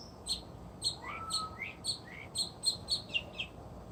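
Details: Resident northern mockingbird serenading outdoors at an animal refuge: rapid repeated sharp chips about four per second, broken by rising slurred whistles and one long low drawn-out note, over a soft continuous hum.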